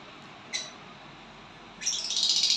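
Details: A violet bird singing and chirping on getting a partner: one short high chirp early, then a long pause before a dense, buzzy, high-pitched chatter that swells toward the end.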